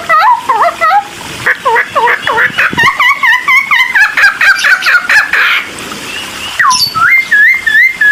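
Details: Cucak timor singing to provoke other birds: dense runs of short looping whistles, varied in pitch, then a brief noisy pause before a series of higher, evenly spaced rising whistles.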